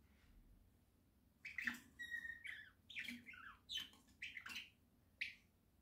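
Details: Pet budgerigars in a small home flock, October 2024: after a quiet start, rapid scratchy chirps and a short clear whistled note, then choppy squawks separated by brief gaps.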